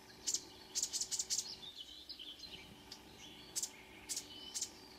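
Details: Early-morning marsh warbler song from Kråkstad, Norway, June 2009: clustered sharp high notes, soft warbling twitters and slurred whistles between, fast and irregular.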